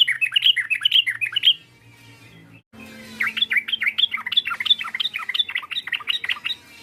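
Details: Sooty-headed bulbul calling to provoke a rival: rapid bubbly chirps in a run, a pause with low hum, then a longer lively series of quick repeated tweets about two per second.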